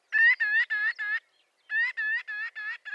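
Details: Marbled godwit giving loud nasal, harmonic calls in quick bursts of four or five notes, each note slightly rising, a short pause, then another rapid run; no other sounds.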